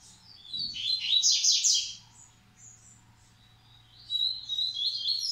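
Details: Coleiro (double-collared seedeater) breeding males of the Massai and baiano song styles: a loud burst of rapid twittering, buzzy notes around the middle, a quieter pause, then a fresh run of high chirps near the end.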